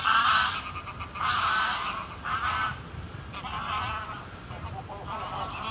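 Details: Greylag geese in a small flock on the ground at medium distance: several nasal honks in loose bursts, fading to softer, distant honking, with low rumbling background noise throughout.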